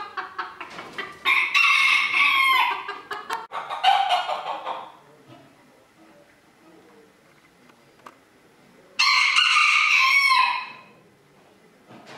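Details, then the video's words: A rooster at a 2022 crowing contest in Villers-la-Ville crows three times, each a loud, harsh, drawn-out cock-a-doodle-doo of over a second, with quiet clucking and faint background noise between. "Chants du coq"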